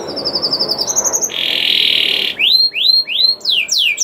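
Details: Canary lure song for coaxing other canaries to sing: short high pulsed notes, then a steady, buzzy, level tone lasting about a second, followed by loud falling whistled sweeps.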